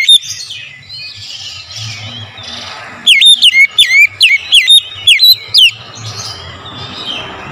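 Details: Oriental magpie-robin singing in the morning, a recording used as lure song to stimulate kept birds: a loud burst of sharp whistled notes, each swooping down then up, about eight in quick series, with soft chirps of other birds before and after.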